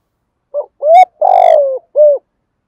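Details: Thổ-voice spotted dove, cooing to call in wild doves: a short note, a coo that rises and ends sharply, a long rattling downward coo, and a final soft coo, delivered loud and close.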